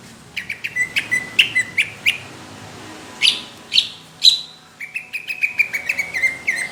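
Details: Competition-quality greater green leafbird song in a rough, thick burst style: sharp chirps in quick series, a few louder spaced downslurred notes midway, then a fast rolling sequence of clear whistled notes.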